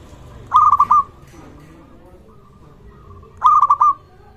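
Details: Local zebra dove in good voice, used to coax other zebra doves into calling and to treat birds that have stopped: two bursts of several quick, bubbling coo notes about three seconds apart over a faint background hum.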